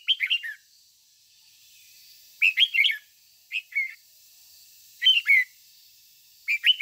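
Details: Decoy red-whiskered bulbul singing 'ché' song to train other bulbuls: five short phrases of sweet, slurred whistles, each a few quick notes, repeated every second or two.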